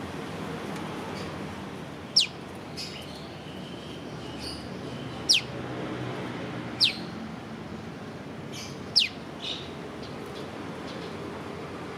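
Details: Prinia (prenjak lumut) calling with sharp, high 'piw' notes that sweep quickly downward. About five are spaced a few seconds apart, with faint softer chirps between them over a low steady hiss.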